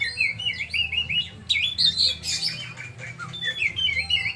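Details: Oriental magpie-robin repeating bright, bouncing whistled notes in rapid series, broken by a loud harsh chattering burst midway, with a low hum in the background.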